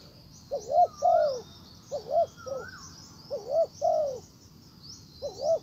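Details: A spotted dove used as a decoy to call in a wild bird coos in short, uneven phrases of quick double notes and some longer falling coos, with faint higher whistled slurs and a steady high chirring.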